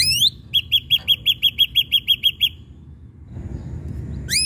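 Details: Ashy drongo lure song meant to make other birds sing: a quick, even run of eleven short, sharp, piping notes, then a pause, framed by bright upward-sliding whistles at the start and end.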